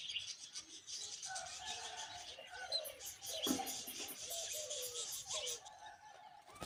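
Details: Myna chicks begging while the mother feeds them termites: harsh, buzzy begging calls in a busy, overlapping chorus, with a few lower squawks and wing flutters.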